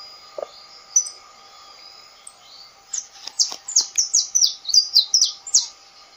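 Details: After a near-silent opening with a few faint notes, a saffron finch (canário-da-terra) breaks into a rapid series of loud, high down-slurred chirps for three seconds over a low humming background.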